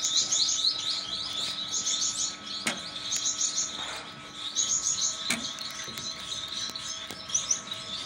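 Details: Gouldian finch pair, a rare mutation, kept as pet birds: continuous high chirping and twittering phrases with soft buzzy notes, a few sharp clicks and a steady background hum.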